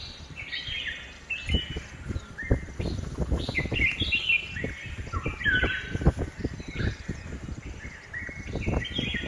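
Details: Red-whiskered bulbul in a home garden in Hosur, giving bright, repeated short whistled phrases of a few quick notes each, with a low rumble and knocking sounds underneath.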